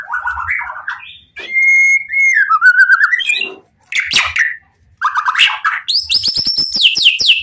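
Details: White-rumped shama, a caged bird singing with full emotion to bait other shamas into answering: chattering notes, a sustained clear whistle, sliding phrases, a harsh burst, then high repeated ringing notes.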